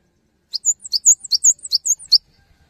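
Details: Cinereous tit in lively, energetic song meant to spur other tits to sing: a quick burst of about ten high, sharp notes alternating between two pitches, lasting under two seconds, then silence.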